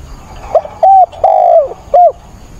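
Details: One cooing phrase from a decoy spotted dove during a rainstorm on 28 October, cooing eagerly to excite wild doves: a soft lead-in note, a flat coo, a long downward-sliding coo, then a short closing coo.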